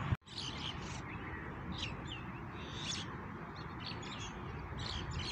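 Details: Birds in the evening: a chorus of short, high chirps and quick twittering notes from several birds, overlapping throughout, over a steady low rumble of background noise.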